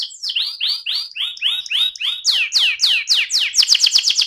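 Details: An AF canary sings a run of clear descending whistled notes, repeated roughly four per second, which grow higher and sharper before closing on a quick burst of rapid high chirps.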